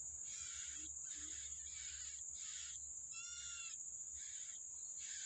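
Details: Yellow-bellied prinia feeding its young in the wild gives a series of harsh, buzzy bursts, about one each second, with a clearer harmonic note partway through, over a steady high insect drone.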